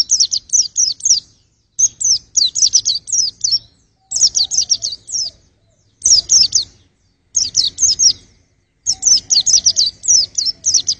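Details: White-eye singing in a regular pattern: rapid bursts of five to eight high, downward-sweeping tweets, separated by brief silent pauses.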